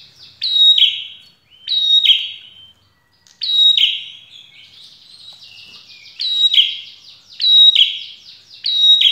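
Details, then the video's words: Red-headed prinia song played to draw answering birds: high, sharp phrases opening with a bright whistled note that drops into a buzzy trill, repeated about every two seconds, with a softer rapid chattering run in the middle. "prenjak kepala merah dijamin pasti nyaut"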